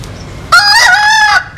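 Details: Rooster crowing, one of a compilation of Vietnamese and American Sil cocks: a single loud drawn-out crow lasting under a second, harmonic and slightly wavering, with a quiet lead-in.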